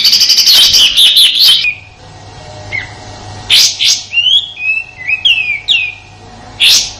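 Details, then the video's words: Sooty-headed bulbul giving a harsh master song for white-rumped shama training: a rapid burst of rough notes, a quiet gap with a lone short note, then slurred whistles and loud broadband bursts. "Suara tembakan kasar kapas tembak untuk masteran murai batu dan burung kicau lainya"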